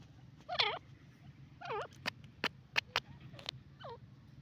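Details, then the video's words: Francolin, locally called teetar, giving short harsh harmonic notes that dip and rise, in two bursts early on and then a single note near the end, with sharp clicks between them over a steady low hum. "pheasant teetar boli yellow francolin sound teetar voice"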